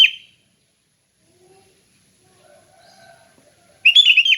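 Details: Sooty-headed bulbul in relaxed ngeplong song, meant as training for other bulbuls: the end of one phrase, a quiet stretch with faint soft tones, then a full bubbly, whistled phrase.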